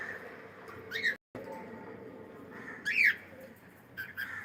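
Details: Cockatiel making two loud, sharp calls about two seconds apart, followed by a softer closing note, with a constant low hum behind them.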